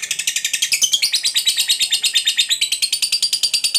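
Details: Fighter lovebird in full ngekek panjang, a long trill used to provoke other lovebirds. It gives a fast, high, buzzy chatter of sharp pulses, about three per second, running on without a break.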